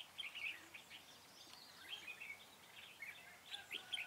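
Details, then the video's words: Decoy red-whiskered bulbul at a trap, 4 February 2017, repeats short bright chirpy phrases every second or so, with softer chirps and a low outdoor hiss between them. "Bẫy chào mào Mào lân dài đòn ché"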